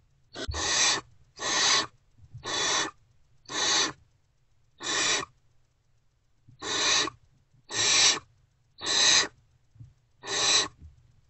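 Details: Great horned owlets awaiting food in a nest box on the morning of 3 March 2024 react to an adult's return, steady rasping hiss calls about once a second with a short pause midway.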